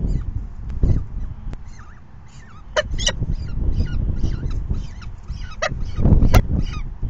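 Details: Falcon young at the nest during the fifth feeding of the day, 4:40 PM on May 9, 2020; rapid, high, scratchy chirps repeat in a steady stream, with a few lower curved notes, over heavy low rumbling noise.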